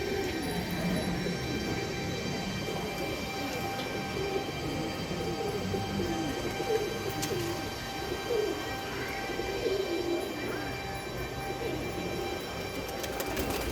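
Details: Several pigeons cooing softly in low, rolling murmurs over a long stretch, with a steady background hum and occasional clicks.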